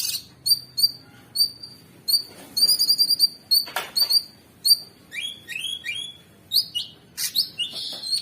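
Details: Cucak sungkok (sooty-headed bulbul) masteran with rough 'ngebren' filler for tutoring songbirds: repeated clear high whistled notes in steady series, then lower sliding whistles and buzzy chirps.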